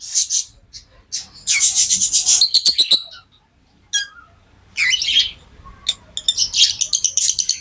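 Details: Tame lovebirds chattering continuously: rapid, dense strings of shrill chirps and buzzy squeaks, briefly pausing, then resuming in excited trills.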